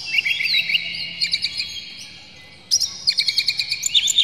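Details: Oriental magpie-robin song used as a lure to get birds singing and tail-spreading. Quick rising whistled notes, a short lull, then a lively run of bright chirps and trills.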